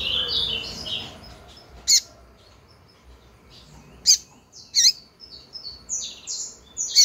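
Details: A female double-collared seedeater calling persistently, meant to rouse males, gives sharp, high, thin chips at irregular one- to two-second gaps, after a brief burst of twittering at the start.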